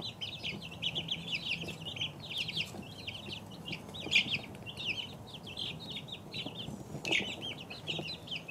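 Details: Two-week-old chicks peeping constantly, a dense chorus of short high chirps, many rising or falling, overlapping throughout with no pauses, a few louder peeps standing out near the fourth and seventh seconds.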